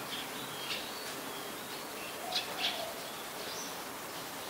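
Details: Malaysian pied fantail, a very common resident, in Ubon Ratchathani, Thailand, on 14 January 2021: scattered short, high, squeaky chips in irregular bursts over steady hiss, with a faint low drawn-out note around the middle.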